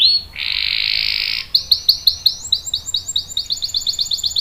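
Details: Canary song, a long roll used to provoke and tutor other birds: a short high whistle, a dense buzzing hiss, then a fast series of sharp, dropping chip notes that quicken toward the end.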